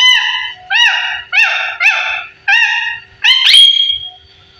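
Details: Pet parrot of 15 years, talking indoors: six evenly spaced arched harmonic syllables about every 0.6 seconds, the last ending in a sharp squeak and a long flat whistle.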